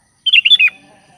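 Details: Sooty-headed bulbul (kutilang) giving a single brief call to companions: four rapid, liquid chirped notes run together in under half a second, followed by a faint low murmur.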